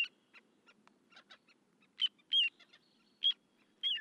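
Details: Little ringed plover (Charadrius dubius), call.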